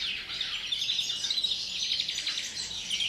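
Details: European greenfinch in pre-breeding song, labelled "pegajoso": rapid, unbroken high twittering with trills, fairly soft against steady background noise.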